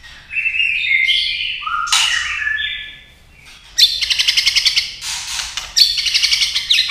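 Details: Female white-rumped shama singing to excite males: varied whistled phrases, a pause, then fast rattling trains of clicking notes repeated in pulses.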